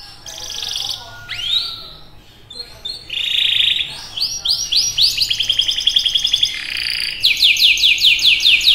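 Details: Canary in full, vigorous song: a rising whistled sweep, a buzzy block of notes, then rapid trills of repeated chips that quicken toward the end into fast falling notes, with a faint low hum beneath.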